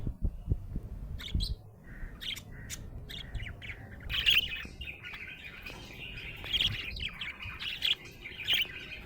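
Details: Happy budgerigar giving scattered sharp chirps and clicks, then a livelier stretch of bright squeaky warbling notes in irregular bursts, with some low thuds at the start.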